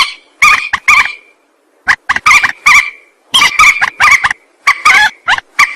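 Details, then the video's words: Rail call used as a lure for trapping. Raspy, honking notes come in clusters separated by short silences. The clusters grow denser and faster toward the end. "Suara pikat burung mandar"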